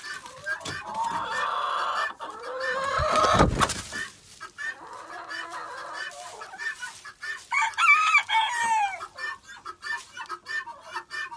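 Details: Chickens in a pen chatter while being fed, with loud scraping and a sharp clatter of cleaning, then a few clear rising squawks near the end and background rustling.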